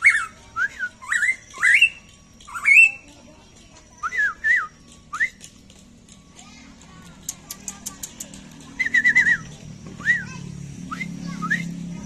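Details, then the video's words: Black-crested bulbul (cucak emas), a bird kept by a farming family who breed local birds: bright whistled phrases of short rising and falling notes, some slurred upward, in bursts over twelve seconds, with a low hum and faint rustling behind. "cucak Emas"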